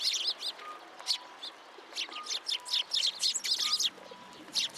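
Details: Sparrows visiting a pillar for food at a Tenman-gu shrine on 27 January 2023; lively overlapping chirps in uneven bursts, busiest toward the end, with faint background tones.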